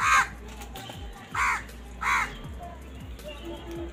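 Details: Angry crows fighting over food give three loud, raspy caws spaced about a second apart, over a constant low hum and faint background murmur.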